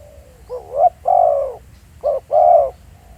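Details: Spotted dove recorded live in the field at Pha Sing, Thailand, as a decoy bird: two loud coo phrases, each a short rising note followed by a longer, fuller, slightly falling coo, over a quiet background.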